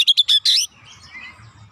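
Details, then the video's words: Oriental magpie-robin, provoked and agitated, giving its isian material: four quick loud whistled notes, the last drawn out, then fading to quiet. "Kacer sekali pancing langsung emosi bongkar isian"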